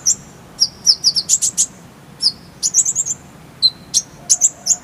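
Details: Konin (Oriental white-eye) recorded as training song for other birds: dense run of high, sharp chirps and quick trills, notes tumbling in clusters with brief gaps between.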